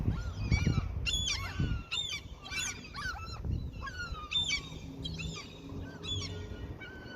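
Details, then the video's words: Feeding gulls near a fishing area call with scattered harsh, bent squawks, while heavy low thumping and handling noise sit underneath and a faint steady tone runs in the background. "Attacking Seagulls given food as peace offering"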